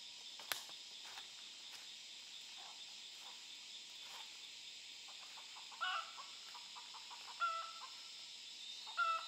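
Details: Wild chickens from a flock found near a forest work place, the chicks captured to be tamed; quiet insect drone and scattered taps first, then three short, whistled two-tone calls at the end.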